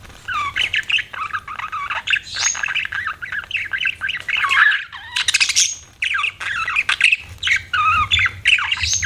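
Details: Budgerigars chattering continuously with squawky, warbled notes and sliding whistles, a busy mix of scratchy calls with only brief dips in loudness.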